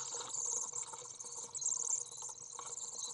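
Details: Three young common swifts in a nest box, recorded 22 June 2011, beg as the second parent returns to feed them: a steady, very high, thin buzzing twitter that surges in short bursts, over a faint low hum.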